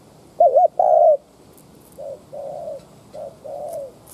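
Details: Spotted dove used as a decoy, cooing to incite wild doves: one loud wobbling double note plus a long coo, then quieter, smoother coos answering farther off.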